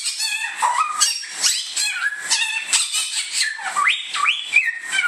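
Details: Bare-throated whistler (Pachycephala nudigula), an Indonesian bird, sings loud, clear whistled notes that step upward in pitch with rising slurs, over a faint hiss.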